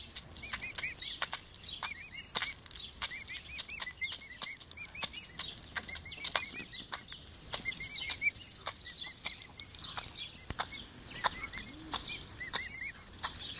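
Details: A group of pet emu chicks aged five weeks gives rapid, repeated whistled peeps, each a small rising-and-falling note. Loud intermittent clicking and tapping runs throughout.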